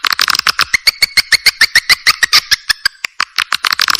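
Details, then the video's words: Swiftlet calling sound, compiled from several clear swiftlet recordings and used to draw swiftlets in: a fast train of dry clicking pulses, several each second, with short chirped notes laid over them, briefly pausing near the end. "Suara Panggil Walet Jernih"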